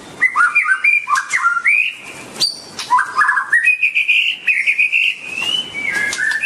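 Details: White-rumped shama sings a long varied strophe: choppy warbled whistles, a sharp high note, then a sustained wavering whistle sliding down, with scattered clicks throughout.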